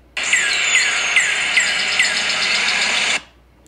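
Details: Northern Cardinal in a backyard, recorded by a Haikubox device, giving a quick series of clear, downslurred whistles, about five notes spaced under half a second apart, over a steady hiss.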